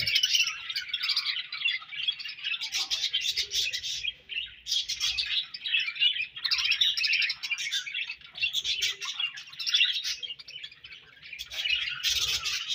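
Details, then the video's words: Budgerigars kept as pets, chirping continuously: dense, scratchy warbling chatter with quick clicks and squeaky notes, rising and falling in bursts with brief lulls, several birds apparently overlapping. "Budgies Chirping Sounds"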